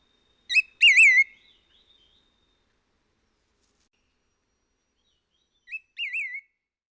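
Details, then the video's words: White-whiskered laughingthrush, a Taiwan endemic, recorded at Hehuanshan in mountain forest: two bursts of loud, rounded whistled notes with a wavering, undulating pitch, first near the start and again about five seconds later, quiet in between. "合歡山的金翼白眉/White-whiskered Laughingthrush"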